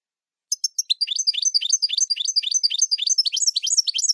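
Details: European goldfinch singing in camper style: a quick run of high chirps that becomes a dense, regular series of twittering, down-slurred notes, about four per second, with no background noise.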